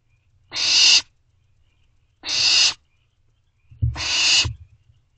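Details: Owlets of wild barn owls begging their parents for food late at night, 24 May 2023, Owl Box C; three breathy screeching hisses, a soft thump beneath the last one.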